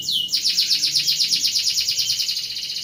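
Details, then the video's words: A canary in 'ngeroll' style, sung as a master song for other birds, gives one upward-swept note and then a steady, rapid rolling trill of evenly spaced high bright notes. "Suara Burung Kenari Ngeroll Cocok untuk Masteran"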